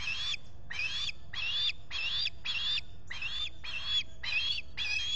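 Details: Nest-site osprey in New York's Finger Lakes region, morning of 23 July 2021, while a visitor is at the nest: nine loud, harsh, even-pitched squealing notes repeated at a steady pace of nearly two per second.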